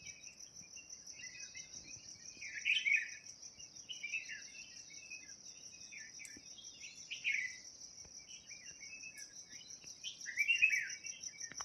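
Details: Birds chirping at a village in Uttarakhand, India: short scattered bursts of bright, slightly buzzy chirps, louder clusters near the start, middle and end, over a steady high insect trill that runs throughout.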